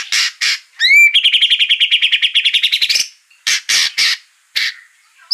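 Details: White-rumped shama song played to provoke a bird into singing: harsh notes, a rising whistled slur, a fast even trill of about two seconds, then scattered harsh chatters.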